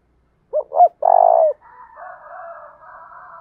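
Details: A spotted dove used to lure wild doves coos in the 'thổ đồng' voice: two short husky notes and a longer vibrating coo, followed by a stretch of soft buzzy chattering.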